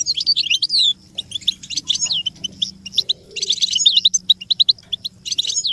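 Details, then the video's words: Goldfinch song used to stimulate caged goldfinches to sing: a fast, bright twittering of high tinkling notes, buzzy trills and quick upslurred whistles in bursts with short pauses. "make your goldfinch sing"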